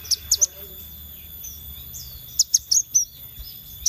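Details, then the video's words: Scarlet minivet lure: short groups of high, sharp notes, three at the start, then a cluster of four or five, with soft thin tones between them. "Pancingan Sepah Raja Ekor Merah"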